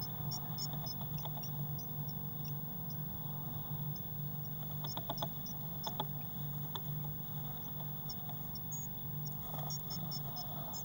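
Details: Inside a nest box on 22 May 2019, six Eurasian blue tit chicks give quiet, very high, short chips in loose clusters. Brief bursts of rustling and scraping from movement sit over a steady low hum.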